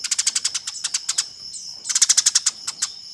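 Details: Eurasian tree sparrow in a fight, used to train competition songbirds: a fast string of grating chirps, a pause of about half a second, then another rapid burst, with a steady high tone throughout.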